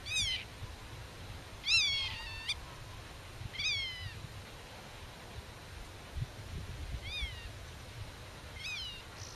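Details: Black-tailed godwit defending its nest and territory while talking with chicks hidden in grass: loud nasal calls with a quick downward slur, given in spaced bursts about every two seconds, over low wind rumble.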